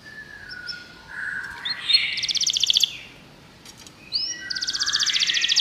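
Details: Canary singing, used to get a pet canary singing: sliding whistles lead into fast, pulsing high trills that come in two bursts over a faint background hiss.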